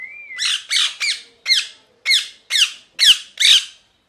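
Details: Parrot calling in a steady run of eight loud, raspy squawks spaced roughly half a second apart, opened by a brief thin whistle, in a quiet indoor setting.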